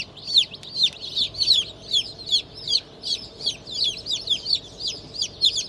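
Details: Fresh hatchlings from a 25 May 2023 hatch of Black Australorp, Sussex and pheasant chicks peep loudly, high downward-sweeping cheeps about once a second over a faint background hum.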